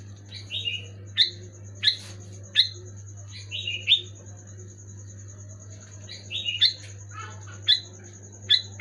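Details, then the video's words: Bulbul song for triggering lazy pet Sooty-headed bulbuls, softer here. Scattered short whistled phrases and sharp single chirps spaced a second or so apart, with a steady low hum and a thin high-pitched tone throughout. "Suara burung kutilang gacor keras jelas bikin kutilang omyokan macet malas bunyi auto bunyi gacor"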